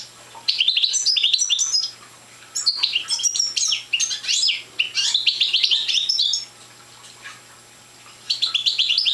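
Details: Parva goldfinch, a young bird still short of full song, delivers quick chattering phrases of tinkling, sharply rising and falling notes, with a pause of about two seconds near the end before the song resumes.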